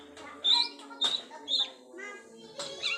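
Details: Long-tailed shrike learning mimicked sounds: a varied run of sharp whistled notes, harmonic chatters and abrupt bursts, loud strokes spaced about half a second apart, in a quiet indoor setting.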